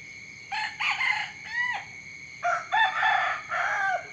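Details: Morning rooster crowing: two drawn-out cock-a-doodle-doo calls, each loud, harsh, and several syllables long, with a falling final note, and a short pause between them over a quiet background.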